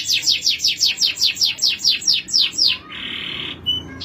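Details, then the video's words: Male canary song of about twelve rhythmic downward-sweeping notes, roughly four per second, followed by a flat buzzy trill and a brief clear whistled note. "Male Canary (bird singing)"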